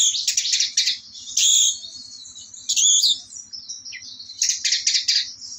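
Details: Orange-headed thrush delivering dense bursts of high, scratchy chattering song separated by softer twittering passages, with a faint steady ticking underneath.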